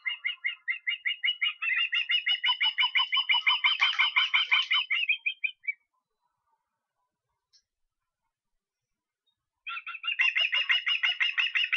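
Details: Osprey in Estonia, 23 August, gives a long accelerating chain of sharp whistled chirps lasting over five seconds, falls silent for several seconds, then resumes with another fast, dense burst of piping notes.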